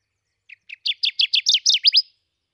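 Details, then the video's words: Kirtland's warbler, a rare near-threatened species, at Stephan Bridge Road, Crawford County, Michigan, sings a quick, emphatic run of about ten downslurred chips that build in loudness and rise slightly before ending abruptly. "Kirtland's Warbler Song"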